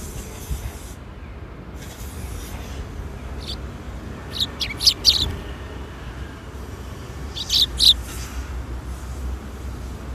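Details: Sparrows coming to be fed at a Tenmangu shrine on an April 2021 afternoon; two short bursts of sharp, high chirps midway and near the end, over a steady low outdoor rumble.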